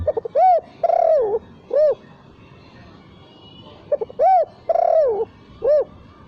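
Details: Spotted dove cooing for a lure recording without the kuk note: twice a short hook, a rounded hoo, a long wavering falling coo and a final arched coo, each phrase roughly three seconds apart.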